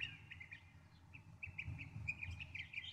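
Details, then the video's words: Northern mockingbird song heard fairly faintly: a stream of short high chirps and whistles repeated about twice a second, partly masked by a strong low background rumble. "1 hour Northern Mockingbird!"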